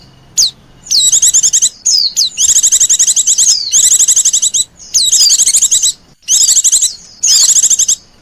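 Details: Lure call of Oriental white-eye aimed at wild birds: near-continuous high, rapid trilled chatter broken into bursts, with sharp downslurred whistles between them.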